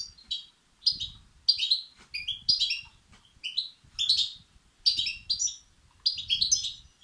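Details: European goldfinch chicks begging, their calls used to stimulate and excite males; bursts of high, harsh, buzzy chirps in rapid clusters separated by short pauses, with faint low rumble underneath.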